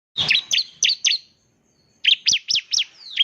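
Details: Bar-winged prinia described as 'semi' and in lively 'gacor' form, singing to lure newly caught prinias into quick singing: bursts of four sharp, high down-slurred chirps, a pause, then five more, clean background.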